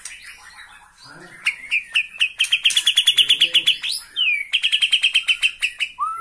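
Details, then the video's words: Bornean white-rumped shama singing excitedly from a single perch at the sight of a rival: soft mixed twitters, then a long rapid train of loud, evenly repeated whistled notes, a brief pause, and a second fast repeated series ending in a rising whistle. "MURAI BORNEO MAIN EMOSI SATU TITIK LIHAT LAWAN"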